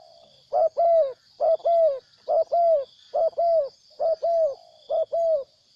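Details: A wild spotted dove coos loud and steady: six evenly spaced phrases, each a brief note joined to a longer mellow coo, under a constant high-pitched insect buzz.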